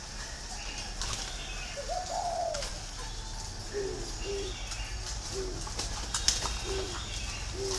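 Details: Green pigeon calling: one wavering whistled phrase, then a run of about six short, lower hooting notes spaced roughly a second apart, with faint chirps of other birds behind.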